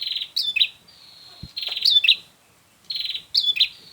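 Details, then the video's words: Prinia calls played as a trapping lure: loud, high, buzzy pulsed notes held level, each ending in a quick twisting chirp, three phrases repeated roughly every one and a half seconds. "Suara untuk memikat burung prenjak"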